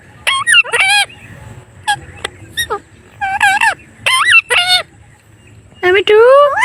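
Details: Parrot uttering a string of short, nasal, honk-like calls in uneven bursts, mixed with sharp clicks, ending in a longer rising cry.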